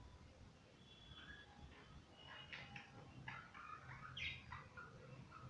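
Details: Pet budgerigars busy playing give scattered chirps and short scratchy notes, rising in density toward the end, over a constant low hum.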